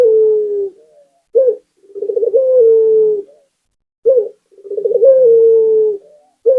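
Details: Local Barbary dove singing actively, used as a lure to keep other doves singing: a short rising coo, then a rolling stuttered coo that stretches into a long, low, slightly falling note, repeated twice with clean silence between.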